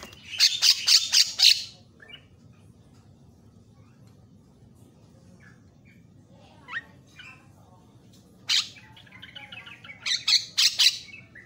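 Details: Javan myna, a tutor recording with varied, energetic vocalizations meant to provoke other mynas: loud harsh squawking bursts rapidly repeated about four per second, then near quiet with faint scattered notes, then another grating series near the end.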